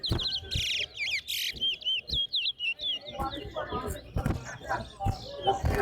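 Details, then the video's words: A chestnut-bellied seed finch (towa towa) sings at a bird singing competition: a fast, bright run of whistled, warbling notes that rise and fall, over people talking and counting nearby. "TOWA TOWA BIRD SINGING COMPETITION"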